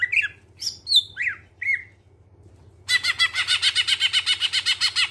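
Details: Greater green leafbird singing, played as a lure to get other birds singing: a few varied clear whistled notes, rising and falling, then a pause and a rapid run of harsh, buzzy repeated notes about four per second.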